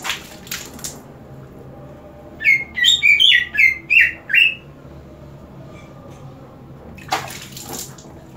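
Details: Kept green leafbird sprayed with water and singing all the harder: a burst of about seven bright, slurred whistled notes in quick succession mid-clip, bracketed by hissing splashes of water spray before and after.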